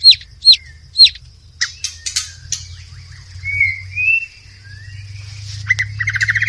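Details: Forest white-rumped shama in the wild: three sharp falling whistles, soft scratchy notes, gentle sliding whistles, then a fast rattled stutter at the end.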